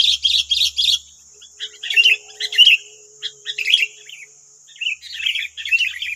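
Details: Wild sooty-headed bulbuls answering a decoy in West Lampung, Indonesia: quick twittering bursts, then lively bubbly chirps from several birds in turn, over a steady shrill insect drone.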